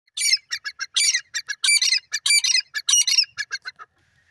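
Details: Grey francolin calling: a dense run of harsh, squawky, high-pitched notes in quick irregular bursts, some overlapping, lasting about four seconds before fading.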